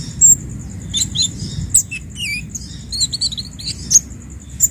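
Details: Orange-headed thrush song played to train captive birds at home: varied high chirps, short whistled slurs and rapid twittering notes in scattered bursts over a steady low hum and a faint continuous high tone.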